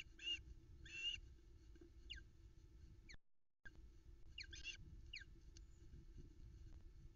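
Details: Female Osprey at a Loch Arkaig nest, early morning, 13 July 2020, calling for a share of the trout. Two loud harsh chirps are followed by thin downslurred whistles, with rustling and low noise around them.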